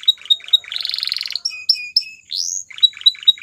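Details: Belgian canary song used for training other canaries: bright clipped chirps, a fast buzzy rolling trill, steady whistled notes, a rising sweep, then repeated sharp chirps.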